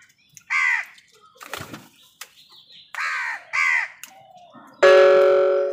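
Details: Crows squabbling with wild birds over food: three harsh, hoarse caws, each about a quarter second with rich harmonics, then a loud sustained buzzing tone at the close and faint rustling between calls.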